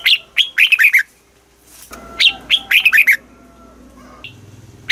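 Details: Southern-style master song of a Red-whiskered bulbul from Thailand, used to stimulate caged birds and teach chicks: clear whistled upslurs followed by quick runs of four or five descending notes, repeated twice, with low background rumble.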